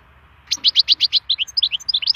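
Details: Wild European goldfinch in full song for song stimulation: after a brief pause, a rapid, continuous stream of bright, high twittering notes, evenly paced at first and then more varied and liquid.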